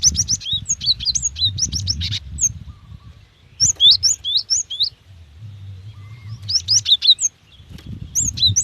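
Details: Cinereous tit female calling to a male: repeated bursts of quick, high, sharp chirps, several tumbling notes per burst, separated by short pauses, with low background rumble.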